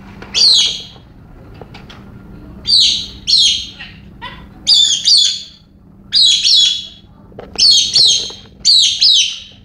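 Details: Female galah kept as a pet, going crazy for a rare moment while other birds look on: loud, grating screeches in pairs and triplets, sounding about every second or two against a faint background hum.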